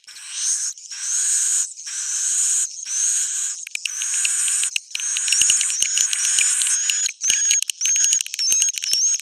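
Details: Swiftlet roosting call for attracting swiftlets: broad, hissing, buzzy bursts give way to rattling, stuttering chatter laced with thin wavering whistles and a few sharp clicks.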